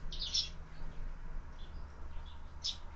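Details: At a feeder fixed to a window, sparrows breakfasting give one quick chirpy burst, then quiet with faint distant notes, then another short chirp, with a persistent low hum behind.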